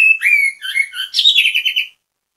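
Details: Orange-headed thrush singing a short bait phrase meant to prompt others to sing along: clear whistled notes sliding downward, followed by a rising sharp note and a quick descending series of rippling trills.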